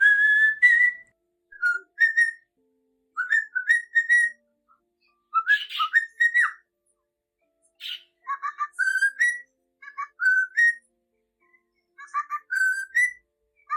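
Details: Cockatiel singing: clear whistled phrases around mid pitch, short rising and falling notes in bursts separated by brief pauses, some harsher chattering notes mixed in, no other sounds.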